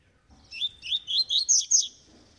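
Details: Tui tui (vibro) song from an eight-month-old double-collared seedeater: about six loud, high, chirpy notes in a rapid, evenly spaced series, rising slightly toward the end.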